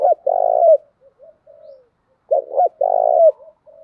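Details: Decoy cooing of a female spotted dove, used to lure and stimulate other doves: two complete deep phrases, each a pair of quick hoots running into a long vibrating coo, separated by faint soft notes.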